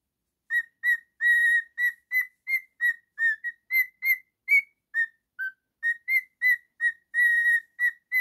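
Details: A male pet cockatiel whistling a quick, steady run of about twenty clear, ringing notes at a nearly even pitch, with one slightly longer held note and a single lower dip near the middle. The background is silent.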